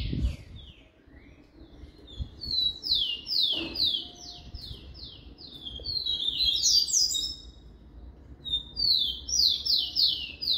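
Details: Rufous-collared sparrow (tico-tico) in a cage singing its "Jesus meu Deus" song: repeated series of high, downward-slurred whistled notes with rapid trilled passages, phrase after phrase, against a faint low background hum.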